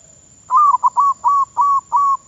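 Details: Zebra dove decoy bird in training, Thailand: a steady run of six short, level, mellow coos, each slightly falling at the end, closely spaced after a brief quiet start.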